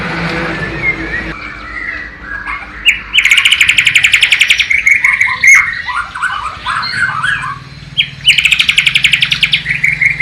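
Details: Bornean white-rumped shama, East Kalimantan, copying a flycatcher (sikatan londo): two bursts of fast, high rattling trills separated by varied whistled and warbled notes, over a faint low hum.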